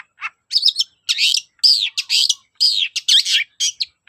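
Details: Long-tailed shrike singing to stir up shrikes that will not sing: fast, harsh, scratchy notes and buzzy slurs packed together, roughly two per second, loud and unbroken by other sounds.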